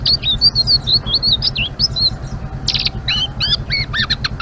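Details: Blue-winged leafbird singing in the nonstop, twittering ngeriwik style: a run of quick high whistled slurs, then sharper clipped chirps and descending notes, over a steady low droning hum.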